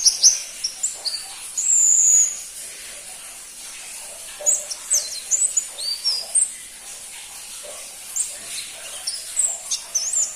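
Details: Pentis pelangi (crimson-breasted flowerpecker) gives scattered piercing chirps and a longer high whistle, with pauses of a second or more between bursts and a brief noisy rustle early on.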